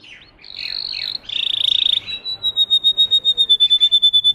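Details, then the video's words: Russian canary, a breed developed for singing, opening with wavering buzzy notes before settling into a pure high whistle pulsed in slow, even beats. "The singing of a canary. Melodies Canary Bird song"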